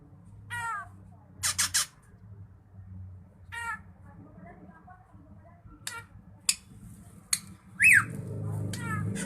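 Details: Drongo in full, lively song meant for tutoring songbirds: scattered nasal buzzy notes with overtones, a burst of harsh rasps, sharp clicks, and a quick falling whistle near the end, spaced by pauses over a steady low room hum.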